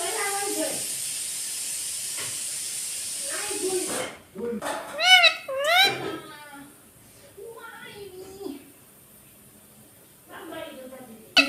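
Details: Domestic rose-ringed parakeet mimicking talk: scattered muttered syllables, then a burst of loud, rapidly wavering nasal notes midway, followed by quieter chattering fragments, recorded indoors.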